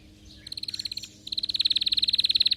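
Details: Canary singing excitedly: two rapid, even trills of clipped repeated notes, the second longer and louder, separated by a brief pause.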